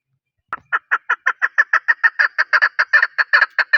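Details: About seventeen loud, regularly spaced clucking notes from a chukar partridge, national bird of Pakistan, beginning after half a second of silence and keeping an even rhythm.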